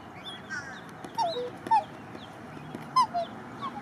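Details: Australian silver black swan parents guarding three one-day-old cygnets at a nesting area on Lake Morton, Lakeland, Florida; short clear downslurred whistled notes, several in a loose series, with a steady background hum and faint higher chirps.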